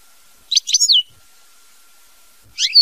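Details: European goldfinch singing in the mama binette song style: a brief burst of high twittering, downslurred notes near the start, a pause, then a rising phrase ending in a thin held whistle.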